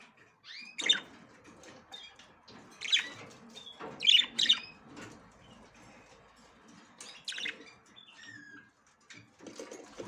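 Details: Female budgerigar trying to enter the nest for the first time, giving short bright chirps and rising sweeping notes in scattered bursts, with soft rustling and scratching between the calls.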